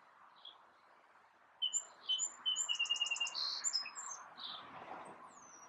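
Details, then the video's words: Sparrow song from a small singing male: opening whistled notes, then a fast even trill of high repeated notes, a buzzy note and closing chirps, over quiet low background noise. "Singing Sparrow"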